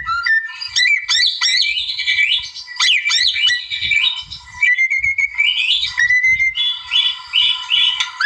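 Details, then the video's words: White-rumped shama from the wild pouring out loud varied song to provoke a rival: sweeping whistled slurs, stuttering trills and a long rising pure note, one phrase after another without a break. "MASTER KICAU GACOR MURAI ALAM NARIK LAWAN"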